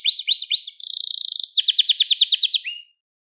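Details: Song of a Gloster canary meant to excite other canaries: three looping rising-falling notes, a steady high buzz, then a quick pulsing trill finishing on a short upward slur.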